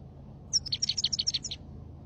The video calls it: gold Finch singing